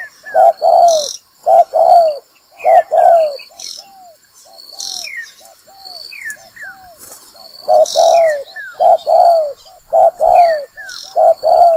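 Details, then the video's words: Spotted dove played as a lure for trapping birds: repeated phrases of hoarse paired coos, roughly once a second, with a quieter run of small hooked notes in the middle. Descending whistles and high thin tones accompany throughout. "Bẫy chim cu gáy | Tiếng chim cu gáy mồi kích bổi đá lụp"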